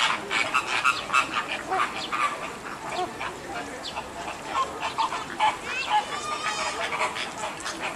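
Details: American flamingos at Ueno Zoo, 28 June 2014, two days after the first chick hatched, give a steady stream of overlapping short nasal, goose-like honks and chatter; a thin rising call stands out near the end; American flamingo.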